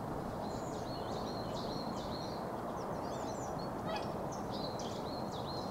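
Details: Swans on spring migration: many honking, trumpet-like calls from a flock overlap, each a short note with a quick downward hook, over a steady low roar of wind or water noise.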